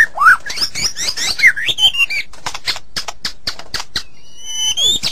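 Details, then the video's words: White-rumped shama masteran song with busy twisting whistles and swoops, then a series of sharp clicks and a thin high rising whistle near the end. "Masteran Suara Murai Batu"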